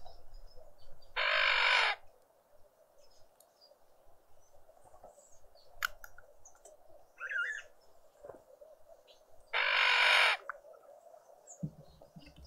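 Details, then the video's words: Green woodhoopoe family group at breakfast on a noisy spring Sunday morning in a suburban garden in Pretoria, South Africa: two loud, harsh, raspy bursts about a second long, eight seconds apart, with faint chirps and patter between them. "Green woodhoopoe (Phoeniculus purpureus) out on a noisy spring Sunday morning family breakfast"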